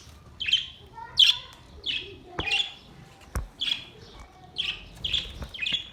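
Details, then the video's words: Budgerigars singing, recorded 22 May 2023: short bright chirps repeated about every second, each a quick rising-falling squeak, with faint clicks between. "Beautiful Budgies birds beautiful singing"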